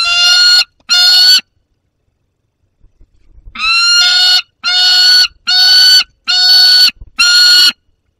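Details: Peregrine falcon youngster with prey, Barycz Valley, 30 August 2022: two harsh wails, a silent gap, then five more strained, nasal screams at a regular pace of roughly one per second, with a second falcon present.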